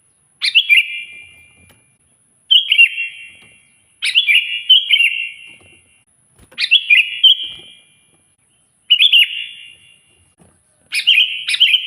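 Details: Loud sooty-headed bulbul song meant to draw an answering rival: six separate bubbly phrases spaced about every two seconds, each a quick tumble of liquid notes fading into echo, over a faint high whine.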